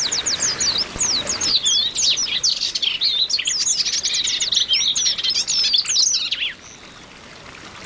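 A flock of Oriental white-eyes chatters in a dense stream of high, thin, rapid chirps and twitters that overlap for about six seconds before stopping.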